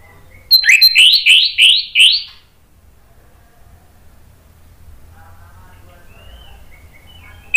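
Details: An orange-headed thrush, offered as a lure to make birds that have stopped singing answer, gives a loud burst of five rising, slurred whistled notes in quick succession, then faint distant chirps.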